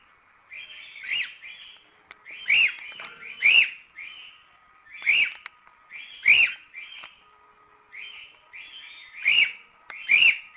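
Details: Cockatiel whistling in a training recording for teaching cockatiels to sing: short whistled phrases with a bright upturned note, repeated at uneven gaps of about one to two seconds.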